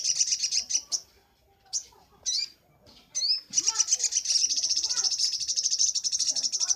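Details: Sunbird master song for training birds: scattered sharp rising chips, then a long continuous high buzzing trill of rapid repeated notes lasting over three seconds.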